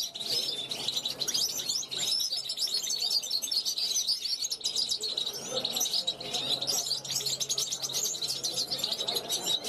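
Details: European goldfinch, a 2021 youngster, calling at a balcony to passing wild goldfinches; a long, busy run of bright twittering and jingling notes, steady throughout, over a faint low hum.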